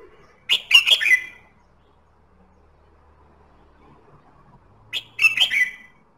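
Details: Singing red-whiskered bulbul, played to stimulate singing: two sharp, cheerful phrases about four and a half seconds apart, each of three or four rapid, slurred whistled notes, with quiet between.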